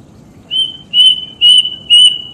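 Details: Plaintive cuckoo whistling four clear, sustained notes on a steady pitch, evenly spaced about half a second apart, against a quiet background.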